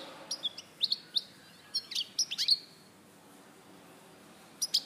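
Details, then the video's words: [3, 'European goldfinch, Larache, 2014, delivering sharp sliding chirps and swept notes in a brief twittering cluster, a pause of nearly two seconds, then a final high chirp.'] "Jilguero Larache 2014"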